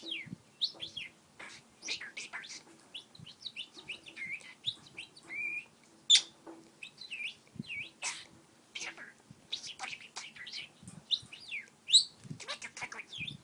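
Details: Pet parakeet talking and flirting with a stylus, a long unbroken warble of chirps, sliding whistles and scratchy chatter with occasional sharper squeaks.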